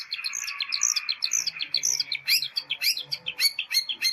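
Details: Long-tailed shrike song in nitik style: looping, whistled up-and-down slurs over a steady high buzz, becoming quicker, scratchier chirps toward the end.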